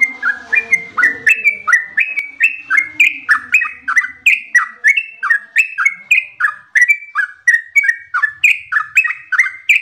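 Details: Trucukan, or yellow-vented bulbul, in full gacor ropel panjang song: a long, unbroken chain of loud, clear whistled notes, each swooping down then up, pouring out at a fast, slightly uneven pace.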